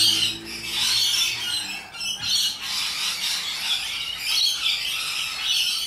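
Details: A noisy chorus of rainbow lorikeets: harsh, grating screeches overlap without pause, with a low humming drone fading out in the first two seconds.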